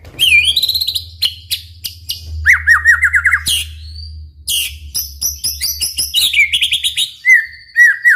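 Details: White-rumped shama, a singing bird used to provoke other shamas into singing, delivering a loud varied song: rising whistles, rapid buzzy trills near the top, repeated downslurred notes and sharp chips, with a low steady hum underneath.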